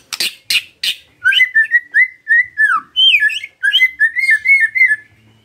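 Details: White-rumped shama (murai batu) singing steadily, used as a lure recording to prompt other shamas to sing: three sharp rasping notes open, then a rapid run of loud whistled, slurred phrases, some rising and some falling.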